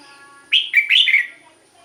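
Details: Song of a red-whiskered bulbul, played for decoy birds or to stir up caged ones: one rich, liquid whistled phrase of four quick notes swooping up and down, clear against a quiet background.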